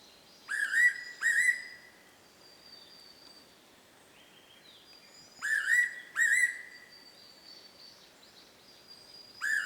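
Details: Singing fairy pitta at Oike springs, Yufu, Oita, Japan, May 2019: paired whistled notes repeated about every five seconds, two full phrases and the start of a third, with a thin, steady high tone in the background.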